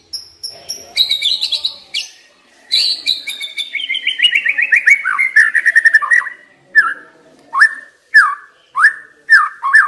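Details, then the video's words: Singing white-rumped shama used as a decoy: high opening notes, then a long run of fast trilled whistles falling in pitch, and then separate slurred whistles spaced about one second apart. "Chòe lửa mồi hót cực hay"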